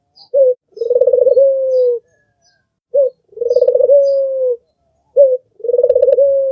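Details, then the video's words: Red-eyed albino Barbary dove used as a tutor bird, cooing three times, each a brief sharp note followed by a longer throbbing coo that levels off and slowly sinks, about every two and a half seconds. "SUARA BURUNG PUTER MERDU"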